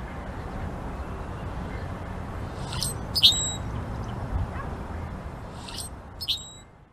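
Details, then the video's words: A blackbird gives two brief bursts of sharp, high chirps about three seconds apart over a steady low rumble of background noise. "Black Bird Chirping"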